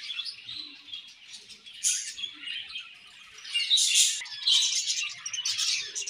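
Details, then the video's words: Colony of budgerigars eating and chirping, a soft run of warbling twitter broken by several louder sharp chirp bursts near the middle and end. "Budgies Colony Chirping Sounds"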